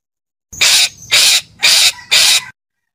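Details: Four long, grating screeches from a calling parakeet, evenly spaced about half a second apart, harsh and broad in tone.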